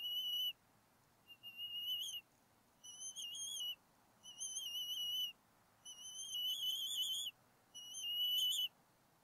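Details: Bald eagles at a campus nest in NW Georgia on 8 April 2018, calling as an intruder is chased off; six drawn-out, thin whistled notes, each about a second long and slightly wavering, spaced by short pauses over a soft background hiss.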